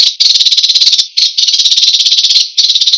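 American sparrow giving a fast, dry, buzzy trill of rapid even pulses in long runs broken by brief pauses, high-pitched and insect-like.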